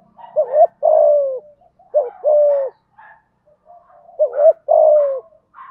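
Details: Spotted dove in thúc gù style with a thổ voice, used to stir decoy birds. Three quick phrases, each a warbled double note then a sustained downward coo, light chirps in the gaps.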